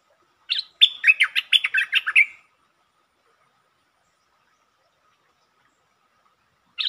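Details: Streak-eared bulbul song recorded 13 February 2023: one quick phrase of about ten bubbly, chortled notes lasting under two seconds, then silence before a single note starts the next phrase.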